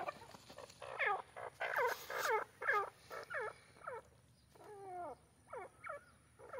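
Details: A black francolin gives a run of loud, grating, downward-sweeping notes at about two per second. Several are drawn out and stepped, and a few quiet gaps break the series. A faint hum runs underneath.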